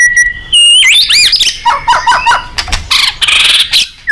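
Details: White-rumped shama singing loudly to train contest birds: a steady whistle, then bouncing rising-falling loops, a repeated rolling figure, and a dense burst of high scratchy notes.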